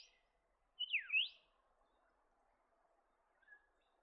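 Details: Black-faced monarch giving a clear whistled call: a sharp downslurred note that swoops back up into a rising note. A faint short note follows a few seconds later over a quiet background.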